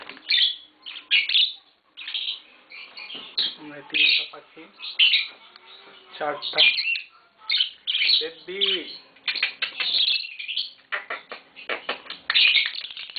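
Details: Captive green Fischer's lovebird pair chattering loudly in repeated harsh, high squawks and chirps packed closely together, with a person talking quietly underneath.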